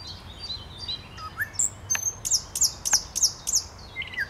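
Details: Thrush nightingale song on 8 May 2022: a few thin high whistles, then a rapid run of sharp, ringing clicks about three per second, closing on a falling whistle.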